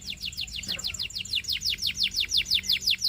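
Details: Canary delivering a long regular run of sharp down-slurred whistles, about three per second, with a faint soft tap in the background.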